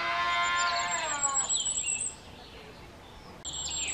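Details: Firecrest song in the Czech Republic: very high, thin, rapid notes near the top of hearing, with a lower, richer harmonic sound in the opening second and the high notes returning briefly at the end.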